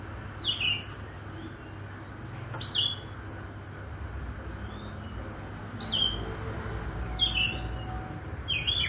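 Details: Oriental magpie-robin in the morning, giving repeated phrases of sharp, descending whistled notes and thin high chirps every second or two, over low, steady background noise.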